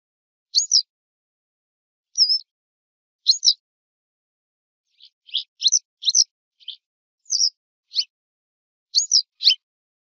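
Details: Western yellow wagtail (Motacilla flava) giving sharp, high, down-slurred chirps, single or in quick pairs, spaced irregularly about a second apart, with a brief cluster of several notes in the middle; otherwise a quiet background.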